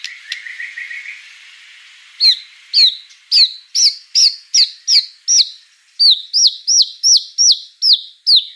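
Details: White-rumped shama (murai batu) in full active song: a soft run of quick notes, then loud, clear whistled phrases repeated about three times a second, each a bright upslurred note with a sharp high tip.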